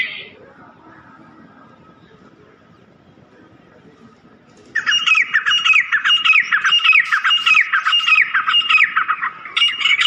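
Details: Black francolin calling to get the birds excited: after nearly five seconds of near silence, a loud rapid series of harsh, rasping notes, about a hundred per minute, runs on almost without pause to the end.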